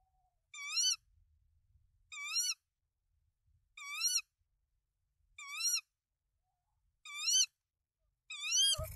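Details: At a tawny owl nest in Denmark with three eggs, 24 March 2024, as the male brings rodents to the female: six nasal, slightly rising calls roughly every one and a half seconds, ending with a loud thud.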